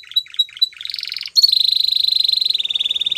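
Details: Spanish Timbrado canary song opening with a few separate chirps, then a short buzzy rising phrase, then a long, steady, rapid metallic trill held for nearly two seconds.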